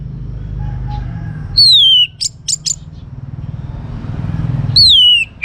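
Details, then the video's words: Orange-headed thrush, a young bird, giving loud falling whistles and short sharp chip notes in two bursts, with a faint lower whistle early on and constant low engine hum behind. "ANIS MERAH Muda Gacor Untuk Pemancing Burung Berani Berkicau Ngeplong juga Teler"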